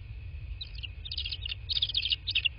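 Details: Bald eagles at a nest in southwest Florida, nest camera, 7 March 2024, around 14:15: bursts of high, squeaky chittering notes in quick clusters, with a steady electronic tone and low rumble underneath.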